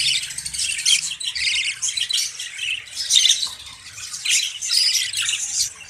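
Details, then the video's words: Caged budgerigars kept in Pakistan during the hot summer season, several birds chattering together in a dense, continuous stream of high, scratchy chirps and squawks that rise and fall in bursts, with a faint low hum underneath. "Budgies Parrots Cage ki Progress Garmi me"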